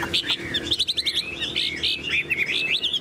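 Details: Song of a tame Chinese hwamei kept in a cage: rapid high whistles and short repeated trill-like notes, with a man's voice faintly beneath.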